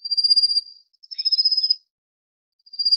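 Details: High, rapidly pulsed trills from a rufous-faced warbler feeding chicks, two long buzzy notes in quick succession, then a pause and the start of another; nothing else audible.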